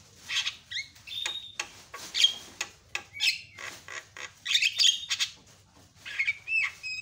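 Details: A Javan myna's loud provoking calls: irregular harsh squawks and rasps mixed with short whistled notes and chattering bursts, continuing through the recording.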